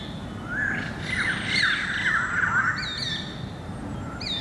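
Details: Greater racket-tailed drongo song recorded 7 February 2018: a harsh, buzzy squawking phrase lasting about two seconds, then a few clear whistled upslurs and high notes, over steady low background noise.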